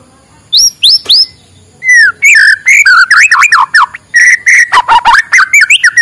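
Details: White-rumped shama in morning song, meant to stir lazy birds into singing: clear rising whistles followed by a varied, rich tumble of slurred, warbled and fluty phrases with short gaps.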